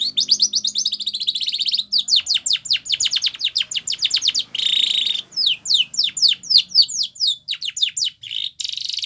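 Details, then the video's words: Training song of a white Spanish Timbrado canary, meant for teaching young birds: fast buzzy trill, runs of sharp descending sweeps, a rattling burst mid-phrase, then more rapid down-slurred notes. "White Canary Singing / Spanish Timbrado song For Training"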